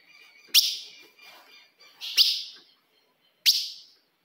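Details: Female ultramarine grosbeak calling to challenge a male: three separate, loud, sharp chips spaced one to one and a half seconds apart, with faint high tones behind.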